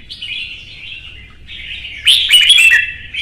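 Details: Red-whiskered bulbul kept as an ornamental bird in Vietnam, singing in a fierce contest: a soft run of whistled notes, then a loud sharp, chattering flourish.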